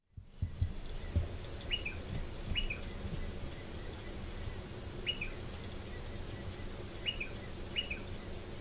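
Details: Striated pardalote pair at a nest in a stone wall under a shed, courtship stage; short two-part calls, a sharp rising note then a lower slur, repeated irregularly over low rumbling background noise.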